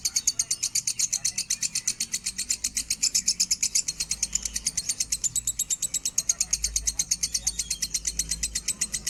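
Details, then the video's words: Lovebird, minor type, delivering a standard-pitch song for tutoring birds: long unbroken stream of piercing high chirps, closely spaced and slightly uneven in rhythm, with some faint low rumble underneath. "suara burung lovebird minor nada standar!!!cocok untuk masteran burung anda"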